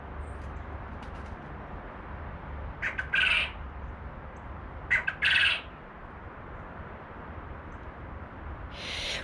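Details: Captive Japanese quail rooster crowing, upset after being separated from his hens, while another male crows competitively: two short, harsh bursts about two seconds apart and a third starting at the end, over a steady low hum.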